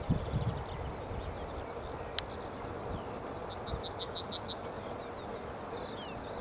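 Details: Yellowhammer singing: a rattling series of about eight short, high repeated notes, then a long drawn-out thin whistle held for nearly a second and repeated once, over a faint steady background hiss.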